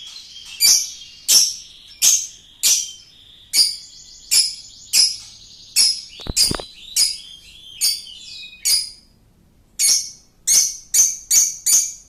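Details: Lovebird long laughing song used to lure: harsh high chirps about one every half second to second, with twittering and a short burst of lower notes midway.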